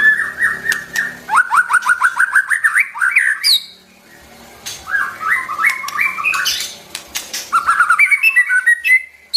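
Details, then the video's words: White-rumped shama song used to train young and newly caught birds: rapid runs of bright, slightly rising notes repeated in quick series, broken by a short pause and then further tumbling phrases, with sharp clicks between. "tiếng chim choè lửa hót"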